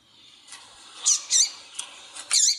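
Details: Double-collared seedeater (Sporophila caerulescens) tuí-tuí song, with a female calling to warm up a male: four short, sharp, high chips and buzzy notes, about half a second apart, over a faint steady hiss.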